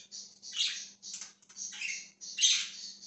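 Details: Budgerigar, dated 20 January 2023, warbling in a run of overlapping gravelly chirps and buzzy squeaks, a loud burst near the end, with a faint constant hum.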